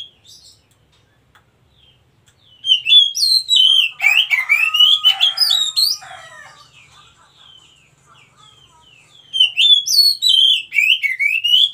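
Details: A wild Oriental magpie-robin sings two loud bursts of sweeping whistles and trills. Between them comes a harsh, noisy passage of chattering and scratchy sounds.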